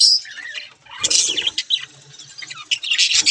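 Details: Budgerigars giving dense, high-pitched chattering and warbling, with scratchy chirps and squeaky notes overlapping continuously, bursts louder around the middle and end, a soft flutter of wings at times.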